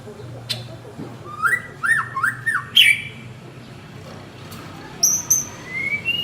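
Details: Male white-rumped shama calling his partner: a run of looping, rising whistled notes in quick succession, followed by a pause, then sharp high thin notes and a short rising whistle.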